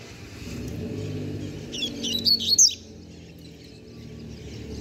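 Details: Novice young double-collared seedeater with its song fully learned gives one short run of quick, high twittering notes, set against a steady low rumble like passing traffic.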